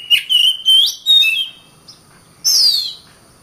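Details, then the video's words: Oriental magpie-robin (kacer) song used as masteran for training other birds: clear whistled notes near one pitch with sliding ends, then a pause and a single bright whistle gliding downward. "Burung Kacer"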